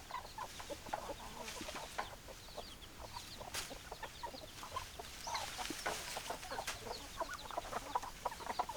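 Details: Hens clucking in a busy group, with dense overlapping short clucks and brief squawky notes throughout, some sharper clicks and knocks, and a continuous hiss beneath.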